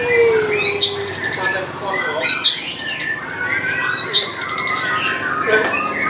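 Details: White-rumped shama in song. Bright rising whistled phrases come about every one and a half seconds over a steady broad background hiss and murmur.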